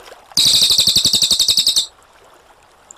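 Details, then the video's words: Cililin, a brown cililin, gives a single clear roll of about one and a half seconds. The roll is a fast, evenly pulsed, high-pitched rattle, followed by quiet. "CILILIN GACOR SUARA TEMBAKAN AK47 NGEROL JERNIH"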